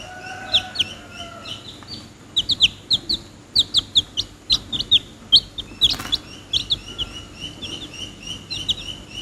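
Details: Several young chicken chicks peeping close by: bright, piercing cheeps that drop in pitch, coming in busy clusters, with a low rumble and one sharp bump in the background.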